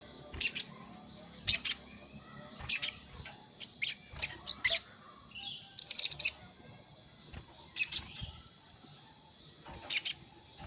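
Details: Sogon calling a rival, played as a lure for wild sogon that are hard to bring down to a trap: sharp high chirps in pairs and short clusters every second or two, over a steady thin high whine.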